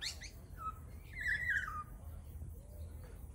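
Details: Male lyrebird mimicking the songs of other local birds: a short burst of varied whistled notes and rapid chirps, with a bright warbled phrase around the middle, over low background rumble.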